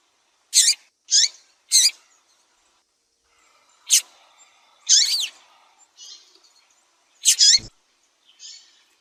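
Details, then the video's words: Female double-collared seedeater calling to stimulate and excite males, a sound used by breeders preparing singing birds for tournaments; short high sharp chirps, three quick notes, then scattered single and double chirps with pauses between. "Piado de Fêmea de Papa capim para Esquentar Papa capim"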